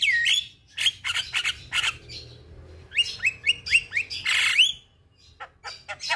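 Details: Javan myna singing, from a recording played each morning and evening to help stressed mynas resume song. Sliding whistles open a run of harsh chatter, then a quick series of upward-swept whistled notes and a loud rasping burst.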